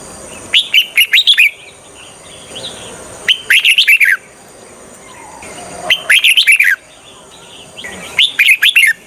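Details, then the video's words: Red-whiskered bulbul kept as a decoy to trap wild bulbuls sings four bright, bubbly phrases of quick slurred notes, roughly every two and a half seconds, with quieter twittering in the gaps and a constant high hiss. "Chào mào mồi cực nhạy _ Âm thanh cho ae đi bẫy _ Chào mào mồi dụ bổi rừng"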